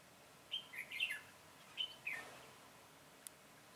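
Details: Red-whiskered bulbul used as a decoy to lure wild birds during trapping on 22 September 2017: two short bursts of bright, warbled whistled notes, rising and falling, against quiet background hiss.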